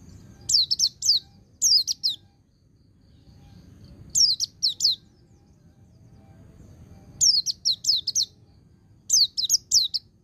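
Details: White-eye song, ngecir joined with ngalas, for training untrained birds: clusters of two to four very high, piercing, down-slurred chirps separated by quiet gaps of one to three seconds.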